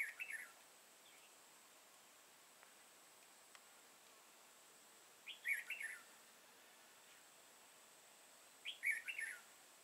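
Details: Red-whiskered bulbul with a crest and dark bib, used in bulbul trapping on 31 March 2018, sings short bright warbled phrases every few seconds over a steady high hiss, with quiet gaps between phrases.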